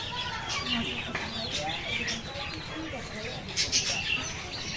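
An Indian ringneck parrot chatters in a high, scratchy voice, with speech-like phrases and shrill squeaks running through a noisy background.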